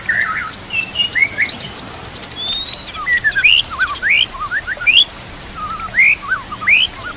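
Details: White-rumped shama master fill-in song with trickling water and nature sounds: a long rising whistle, then rhythmic hooked upslurred notes that grow louder and repeat about once a second.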